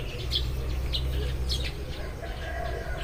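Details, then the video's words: Eurasian tree sparrows in the early morning, uttering a few loud, clipped chirps in quick succession, backed by a low humming noise and faint longer notes. "burung-burung gereja berkicau saat pagi tiba"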